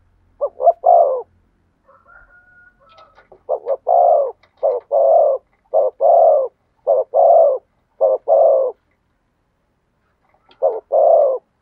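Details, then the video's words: Spotted dove singing in the thổ sấm style: a long string of paired coos, each a clipped note followed by a fuller, longer one, repeated almost evenly. A thin faint whistle is heard briefly early on, with a pause before the final pair. "cu gáy thúc gù giọng THỔ SẤM chuẩn nhất/ the cuckoo sings beautifully"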